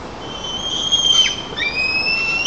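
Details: White-tailed eagle chicks on a nest-camera nest in Nizhnyaya Kama National Park, Tatarstan, Russia, 5 August 2024, loudly greeting the father arriving with a fish while jostling. Long, thin, high whistled tones hold steady and overlap, and a brighter rising whistle enters near the end.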